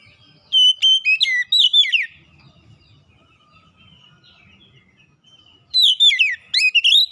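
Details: Kacer, or Oriental magpie-robin, lure song to coax a silent bird into singing; a lively burst of whistles and chips, a pause of about four seconds with faint background murmur, then another burst.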